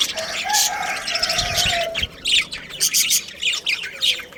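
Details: A budgerigar breeding pair warbles with a soft whistled tone under the chatter, then gives clipped chirps about every half second.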